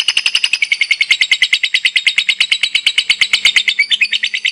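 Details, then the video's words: Active competition lovebird in full chatter, rapid rasping notes pulsing roughly three per second in an unbroken, even run, high and metallic throughout. "LOVEBIRD NGEKEK DAN NGETIK AKTIF JOSSS...."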